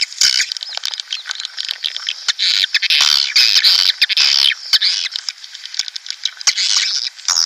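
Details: Nest-house lure of swiftlet calls: dense, overlapping high twitters and buzzy chirps with fast clicks throughout, louder in the middle and thinning toward the end.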